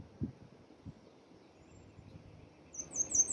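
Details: Common redstart in New York City gives a quick run of four very high, thin, down-slurred notes after near silence, over a faint low outdoor hum.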